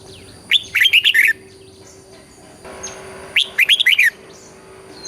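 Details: Red-whiskered bulbul song in southern Thai style, played to stimulate and train birds: two bright phrases, each a rising whistle followed by quick warbled notes, separated by a pause; steady electrical hum beneath.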